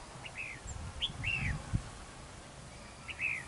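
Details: Red-whiskered bulbul singing at a fight trap used to lure rivals with a decoy bird; three clear, slurred whistled phrases, rising then falling, spaced about a second apart, with soft low rumbling noise beneath.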